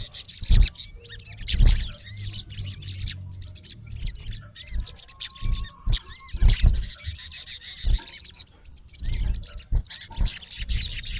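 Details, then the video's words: Male olive-backed sunbird calling toward a rival: repeated thin, high chirps and hooked whistle notes in irregular clusters, with a brief steady tone and low knocks in the background. "MALE SUNBIRD CALLING RIVAL -SOGON GACOR MEMANGGIL LAWAN KASAR"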